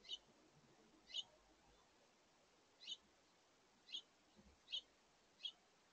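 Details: At a feeder in August 2023, house finch adults and juveniles feed together at brunchtime. Short, high chirps repeated roughly once a second, six in all, standing out against constant soft hiss.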